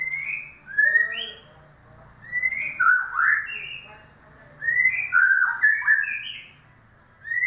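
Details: Lure song of a white-rumped shama meant to prompt a bird that has stopped singing: bursts of rich, varied whistled phrases, rising and falling slurs, separated by short pauses, over a low background hum.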